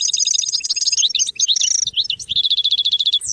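A goldfinch sings a rapid, high twittering song of tinkling notes and buzzy trills, running without pause and ending in a fast, even rattle.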